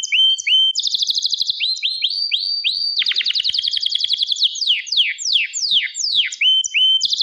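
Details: Canary song of rising whistles repeated in series, a fast rolled trill, then loud descending swoops alternating with short upward notes.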